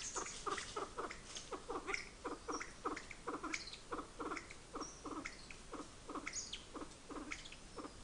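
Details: A Kalij pheasant in the Nainital Himalaya during the breeding season gives a steady run of short, low clucking notes, about three a second, with thin high whistles from other birds above.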